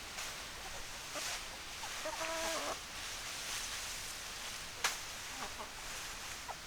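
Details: Chickens outdoors, a hen giving a short run of harmonic, nasal clucks lasting under a second, with rustling and scattered clicks from the yard around it.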